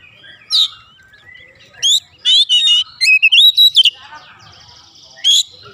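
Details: Agitated Oriental magpie-robin song as a provoking lure: isolated sharp chips, then a quick run of bright, rising whistles and trills, with quiet gaps between.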